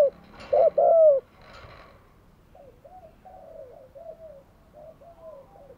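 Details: Spotted dove decoy luring wild doves. One loud double coo opens, followed by a string of much softer, wavering coos in the background.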